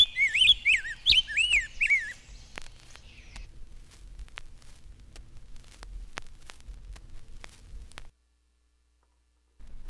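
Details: Showy male Rose-breasted Grosbeak singing from a willow in spring while the brown female brings a weed stem to her nest: about three seconds of rich, sweet, robin-like whistled phrases run together, then scattered sharp clicks and crackle, then silence.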